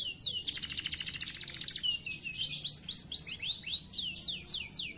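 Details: Canary in song: a quick rolling trill of dense, buzzy pulses followed by a series of bright, swooping whistled notes that sweep up and down in rapid succession.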